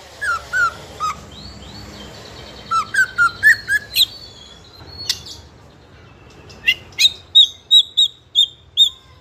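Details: Juvenile white-rumped shama in fighter style, singing loud and nonstop as a lure sound to rouse other young shamas; varied whistled phrases, then a fast run of about eight clear, evenly repeated bright notes.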